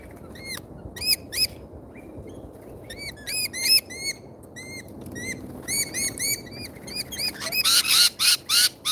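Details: Lorikeets at a feeder in Australia give shrill, harmonic screeching chirps, repeated rapidly in uneven bursts that grow busier and denser toward the end, with a low background rumble.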